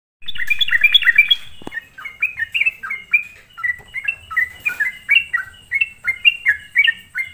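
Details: Sooty-headed bulbul singing energetically, a lure recording used to provoke other bulbuls; a dense burst of bubbly notes, then short chirpy phrases dipping and rising, repeated about every third of a second.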